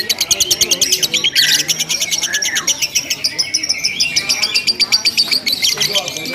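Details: Lovebird chattering nonstop in a simulated contest, the ngekek style: quick high buzzy pulses run on, broken by a louder harsh burst and a short rising whistle before the rapid chatter resumes.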